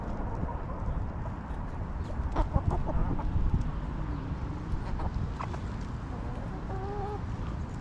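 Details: Backyard hens in a homestead coop clucking softly, with a burst of short clicks and clucks mid-clip and a brief drawn-out harmonic note near the end, over low rumbling background noise.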